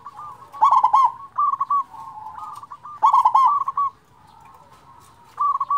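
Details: Local zebra dove whose strong song is used to lure and stimulate other doves: two loud bursts of fast rolling coos three seconds apart, with softer trilled cooing between and after them.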